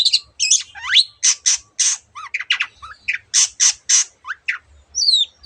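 A Long-tailed shrike pours out a rapid, varied medley of harsh squawks, chatters and short slurred whistles, mimicking other birds, with brief pauses between bursts.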